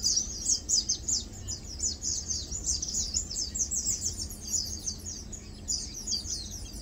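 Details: Lowland White-eyes (Zosterops meyeni), called Matang Dulong, feeding and preening at ease; bright high-pitched chips and twitters pour out in quick succession, loudest early and easing slightly toward the end.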